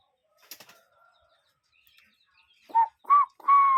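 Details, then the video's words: Cuckoo calling in nature. A soft flutter and a faint thin whistle come first, then three loud whistled notes in quick succession, the last one held longer and steady. "Relaxing Cuckoo Bird Sound in Nature"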